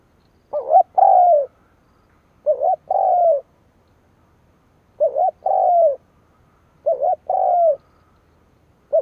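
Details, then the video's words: Decoy spotted dove calling to excite rivals: four full two-part phrases plus the start of a fifth, each a brief quavering note followed by a long soft descending coo, spaced about two seconds apart. "Cu mồi gáy gù / Tiếng chim cu mồi kích bổi / Cu mồi gáy bổi nghe hăng máu"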